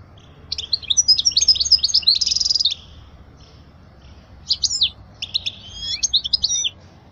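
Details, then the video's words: European goldfinch singing to teach fledglings: a burst of quick twittering with a harsh buzzy note, a pause of almost two seconds, then further sharp, sweeping chirps and twitters. "أجمل تغريدة لطائر الحسون لتعليم الفراخ الصغار"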